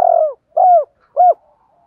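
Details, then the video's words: Spotted dove with a decoy-suited voice: one drawn-out, falling coo followed by two short, rounded coo notes about half a second apart, with a quiet background. "Tiếng Cu Gáy Giọng Hạp BổI [ GÁY GỌI,THÚC,GÙ ] Kích Bổi Nhanh Nổi"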